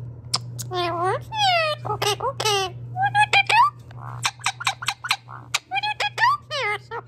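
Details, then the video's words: Talking Indian ringneck parakeet kept indoors chatters in a rapid string of varied voiced syllables, some rising, some falling, some short clicks, mimicking speech in bursts of about seven seconds against a constant low hum. "Talking Indian Ringneck parrot"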